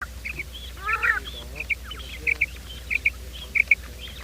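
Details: Quail morning call used to lure quail for trapping: short, high, clipped notes in pairs, repeated about every half second, over a low steady hum; a brief harsher honking sound comes early on.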